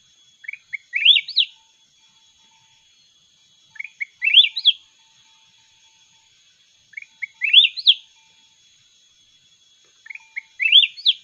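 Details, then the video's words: Mountain red-whiskered bulbul singing in a song contest; a short rising, whistled phrase of quick notes repeated about every three seconds, four times, over a steady high background tone. "chào mào núi hót đấu giọng cực ngọt"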